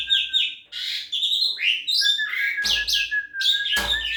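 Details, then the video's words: Young Javan pied starling singing a varied, rapid medley of whistles, chattering notes and slurred rising and falling phrases, with a sustained steady tone running underneath and two sharp broadband clicks near the end. "jalak suren muda mantap"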